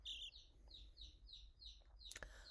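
Newly hatched chicks peep in a quick series of high, downslurred notes, about three per second, with a soft knock near the end.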